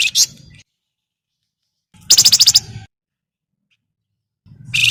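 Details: Javan myna harsh chatter played as a lure for other birds: a short scratchy note, a pause, then a tight burst of about eight rapid, grating pulses, followed by another rasping onset.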